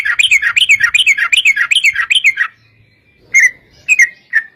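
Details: Lure song of a yellow-vented bulbul, a long 'ropel' meant to make other bulbuls answer. A fast run of warbling notes gives way to a few spaced, separate bubbly calls.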